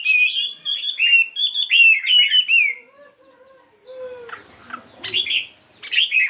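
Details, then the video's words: A fighting Chinese hwamei, 72 grams, practising its song in the morning with shifting voices. Rapid warbled whistles open the clip, then after a quiet gap come a lower whistle and a few scratchy, sharp phrases. "Tiếng Chim Hoạ Mi Chiến 72gam Hót Đảo Giọng Rất Hay"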